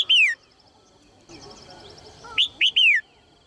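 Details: The tail of one phrase, then a full phrase from a female red-whiskered bulbul calling so males will sing: two short rising chirps and a drawn-out downward whistle, faint high chirping from other birds between.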